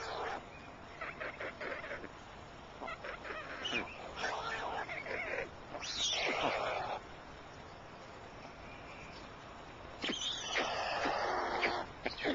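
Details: Adult white storks clattering at the nest as they change over care and feeding, 27 June 2010 at 21:11; series of rapid dry broadband knocks in bursts, with a louder noisy stretch later and faint background sounds.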